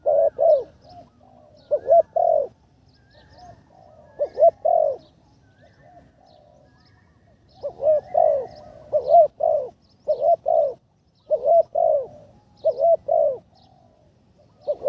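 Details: Third training session of a ground decoy spotted dove, now much improved: clusters of soft, low coos separated by several quiet seconds, then a denser run of paired coos, faint chirps above.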